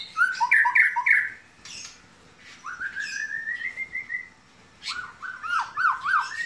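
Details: White-rumped shama song with lovebird and canary imitations: clear whistled phrases, repeated downward-hooked notes, a long rising whistled series, then looping slurred notes; short pauses between phrases.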